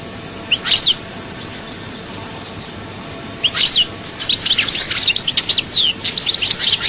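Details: European goldfinch song in the chaayba style from Souk Ahras, Algeria: a lone sharp chirp, a pause, then a dense stream of high, quick twittering notes and fast slurred chirps.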